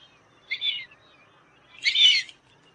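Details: Fulvous whistling duck call offered for hunting use: two harsh, squeaky whistled notes over a second apart, the second louder and longer, against a faint low rumble.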